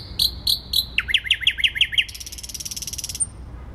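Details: Warsaw city-centre thrush nightingale, Poland, 12 May 2020: three high notes, then about ten rapid downward-sweeping notes in a rhythmic series, ending in a dry buzzing rattle and one thin high whistle.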